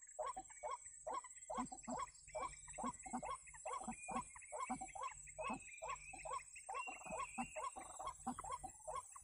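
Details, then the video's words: White-breasted waterhen lure call used to attract the birds: harsh, croaking 'kruak' notes repeated rapidly, more than once a second, over a steady high-pitched insect drone. "Pikat Ruak-Ruak"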